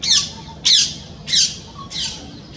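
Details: In spring, during the pairing season, a bird calls out to its mate. It gives sharp, high, harsh squawks, four of them in under three seconds, each a brief scratchy burst, with faint low background noise.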